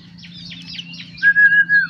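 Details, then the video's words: Ashy drongo in morning song meant to get other birds singing: fast high twittering notes, then a loud, steady, slightly wavering whistle held for about half a second. "SRIGUNTING KANTIL RAJA GACORNYA PAGI HARi || bikin burung lain ikut gacor"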